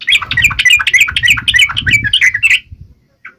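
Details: Yellow-vented bulbul fighting song, meant to make other bulbuls answer at once: dense, rapid run of bubbly chirped notes near the upper-middle range, overlapping and tumbling for about two and a half seconds, with a low rumble underneath, then a single late note.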